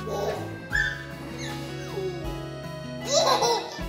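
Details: Background music plays with human voices and laughter, and no animal sound stands out.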